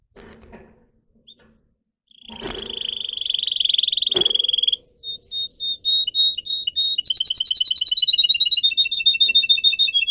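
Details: Pet singer canary used for song training, beginning with faint room noise and a loud click, then a high rapid trill followed by fast repeated whistled notes and quick buzzy rolls.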